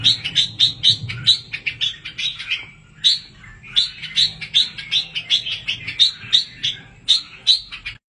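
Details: Red-whiskered bulbul chicks in an aviary give a begging call: a rapid, insistent string of high, thin chirps, three or four a second in bursts, with a faint low hum behind.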